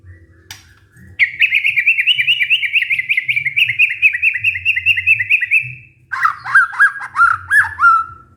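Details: White-rumped shama song played as a lure to revive singing and breeding drive in a stressed caged bird; one note, then a long fast rattling series of even notes, followed by a lower quick repeated phrase.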